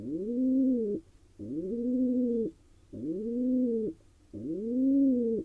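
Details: Wild male pigeon courting a female inside a barn owl nest box in Israel, giving repeated low, rising then level coos about one second long, four in a row with short pauses between.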